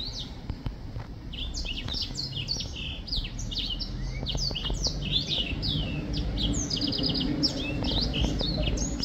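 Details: Black-throated finch singing, with dense runs of short high chirps and sharp descending notes, repeated rapidly and overlapping throughout, with a steady low rumble underneath.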